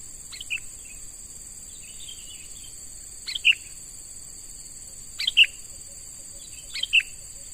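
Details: Sooty-headed bulbul, a young wild bird taken by luring and being trained as a decoy, repeats brief sharp chirp phrases about every two seconds, four in all, with a steady insect whine behind.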